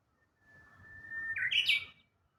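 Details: Japanese bush warbler, Kashiwanoha Park, Japan, May 2025: a single full phrase with a long pure whistle that climbs in fast steps to a loud, high, trilled finish, in a quiet setting.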